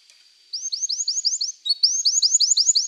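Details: After a brief near-silence, a canary delivers two bright runs of quick, rising-then-falling whistled syllables repeated several times per second, separated by a short pause.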